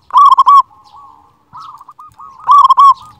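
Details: A big-voiced local zebra dove sings a master song intended to make lazy birds sing. Two loud bursts of stuttering coos frame the clip, with softer, lower cooing phrases in between.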